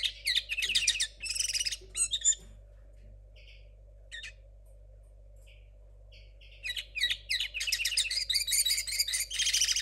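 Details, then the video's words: Young linnet hybrid hatched in 2022, still learning its muddled, unpolished song: dense bursts of high buzzy, chattering notes open the phrase, a near-silent gap with a few soft chips follows, then rapid twittering resumes strongly at the end. "mixto de Pardillo 2022"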